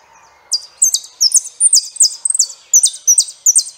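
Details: Saffron finch song of sharp, high chirps repeated in quick, slightly irregular bursts, about two or three per second, with some notes doubled or run into short rattles.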